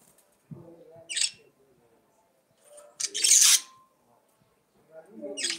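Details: A budgerigar sings with soft gurgling undertones, a scratchy chirp, then a loud, prolonged harsh screech, ending with another rising scratchy call.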